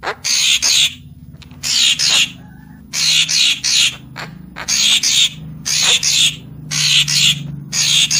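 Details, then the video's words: Papuan magpie-robin song used as a lure call: loud, harsh, buzzy high-pitched bursts in quick pairs, repeated roughly every second with short gaps, over a faint low hum. "Suara Pikat Burung Murai Papua Full Gacor"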